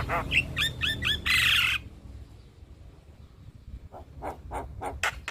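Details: Javan myna lure song for stressed captive mynas that no longer sing: quick looping whistled notes end in a loud harsh burst, followed after a quiet gap by soft clicking notes.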